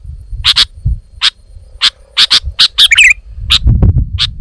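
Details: A sooty-headed bulbul, described as female, gives spaced sharp chips, some paired, and one squeaky warbled burst near the middle, with low thumping noise at the start and end.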